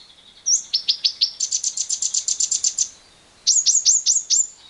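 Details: Lovebird giving its long 'ngekek' chatter, used as a lure to stimulate other lovebirds to sing: a rapid run of high, sharp repeated notes for about two seconds, a pause, then a shorter burst of five downward-sweeping chips.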